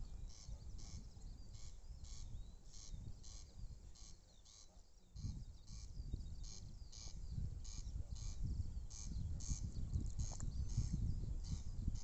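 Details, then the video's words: Corncrake, a summer visitor, calling at a campsite within RSPB Balranald reserve on North Uist, Outer Hebrides, Scotland; dry rasping pulses repeat steadily in pairs through the recording over strong low wind rumble. "Corncrake calling"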